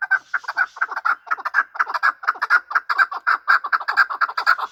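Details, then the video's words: Hunter chukar partridges fighting and calling: even, rhythmic chuck-chuck notes, mid-pitched and rasping, about two each second, building a continuous pulsing chatter. "Chakor fighting and making voices / chakor ki awaz / chakor calling / chakor voice"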